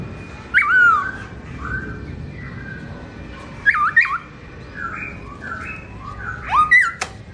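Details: Black-throated laughingthrush (Garrulax chinensis) singing melodiously with its owner away, 2017: loud, clear whistled notes that swoop up and down, delivered in spaced bursts with quieter warbled phrases between and a sharp click near the end.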